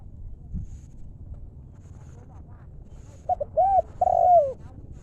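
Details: After a stretch of quiet low rumble, a wild-stock decoy spotted dove gives one 'lew' style 'mor lam' phrase: short clipped notes, then two long, low, downward-curving coos near the end.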